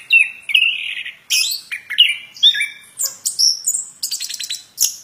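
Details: Plontang bird singing a lively medley of whistled slurs, short buzzy notes and a rapid high trill near the end, phrases separated by short gaps.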